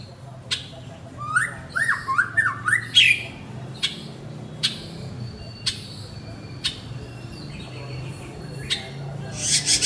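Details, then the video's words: Male white-rumped shama calling to his partner: a quick run of rising and falling whistled notes, then sharp isolated clicks and ticks spaced about a second apart, over a low rumbling background. "Chích choè lửa gọi bạn - Shama bird calls his partner"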